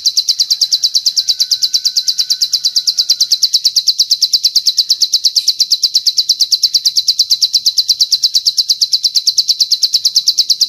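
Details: Bar-winged prinia master song for training captive birds, filled with long cililin phrases; a rapid, steady, high-pitched pulsed trill repeating evenly about three times a second without pause, clean and free of other sounds.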